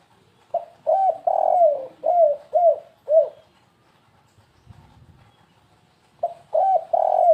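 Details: Stuttering 'kuk3 gagap' lure call of a spotted dove: a run of rounded coos with one long sliding note, then a pause with faint rustling, then the coos start again.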